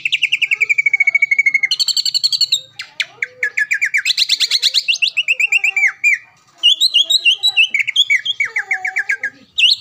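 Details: Dense, varied song of a caged greater green leafbird that often wins contests around Palembang: a long steady trill, then buzzy chatter, tumbling rapid phrases and twisting whistles, almost without pause.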